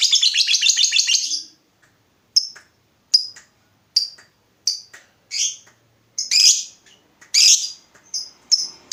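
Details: Lovebird lure for triggering ngekek in other birds: a fast ringing chatter fades out, followed by separate sharp high chirps and squeaks spaced about a second apart.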